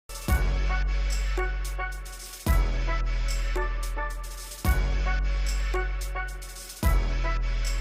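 An electronic music beat with heavy bass thumps repeating roughly every two seconds, under layered synth tones.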